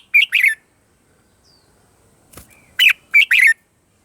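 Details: Morning song of a red-whiskered bulbul, used for voice training: two short, bright whistled phrases, the first two-noted and the second four-noted, separated by a quiet pause with a single click.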